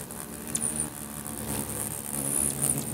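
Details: A swarm of hummingbirds competes at a feeder in Bigfork, Montana, in territorial fighting. A few brief, high squeaks rise above the dense whirring drone of beating wings.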